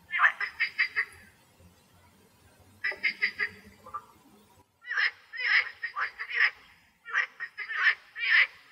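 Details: A wood sandpiper (Tringa glareola) in Greece, with on-site frog sounds, gives quick bursts of four to six sharp, high notes, each run lasting about a second with brief pauses between.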